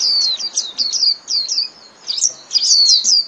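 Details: Rapid, high-pitched twittering 'líu' song of a Japanese white-eye, meant for training caged birds: repeated sliding notes in short bursts separated by tiny pauses, ending in a denser, brighter flurry.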